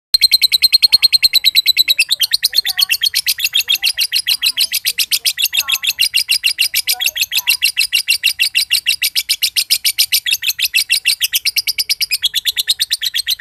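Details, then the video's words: Extended ngekek trill of a josan lovebird, a contest bird from Mojokerto whose long trill makes other birds join in: dense, loud, relentlessly pulsed chattering for over thirteen seconds. "LOVEBIRD JOSAN NGEKEK PANJANG BIKIN BURUNG IKUTAN NGEKEK"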